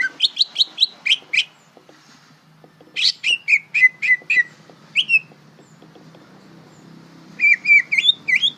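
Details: Greater green leafbird, a young bird learning to sing, giving bursts of rapid whistled notes, sweeping up and down, in three phrases separated by short pauses, with a faint low hum underneath.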